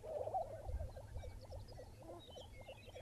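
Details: Lesser prairie chickens near Buffalo, Oklahoma, in the early morning: quick, evenly spaced clucking notes, about two per second, with faint high chirps of other birds and a low rumble of wind.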